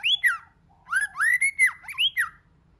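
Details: A White-rumped shama sings a multi-voiced phrase: two sharp falling whistles, a short gap, then a string of rich rising and arching notes with a husky edge, ending in a quick downslurred flourish.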